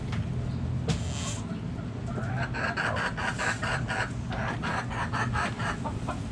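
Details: Backyard chickens give a quick series of short, rasping clucks from about two seconds on, repeated several times a second, over constant low rumbling background noise.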